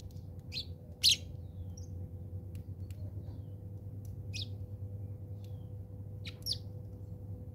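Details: House sparrows fighting in South Africa: scattered sharp, high chirps and short squeaky bursts at irregular intervals over a steady low hum.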